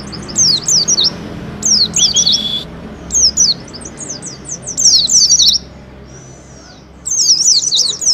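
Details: Oriental white-eye song played as a lure to stimulate caged birds into full song: bursts of rapid high zigzag twittering notes, paused briefly, with a thin whistled note and steady background hiss.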